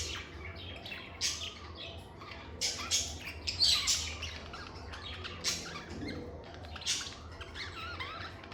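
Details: Lovebirds chirping and squawking in a calm setting: a busy string of sharp, high chirps and short squawks at irregular intervals, some notes sweeping, over a steady low hum.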